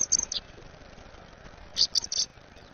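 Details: American robin chick being fed gives thin, high, squeaky begging notes in two quick bursts about a second and a half apart, with faint background hiss.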